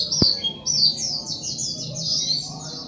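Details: Sogok ontong sunbird giving a run of high, thin, downslurred whistled notes in quick succession over a noisy low background with one sharp click.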